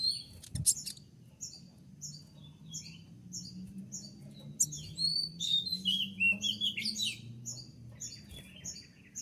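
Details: Konin in moult, song with 'tembakan' shots: rapid repeated high chirps, about two or three a second, rising into warbled sweeping phrases over noticeable low background noise.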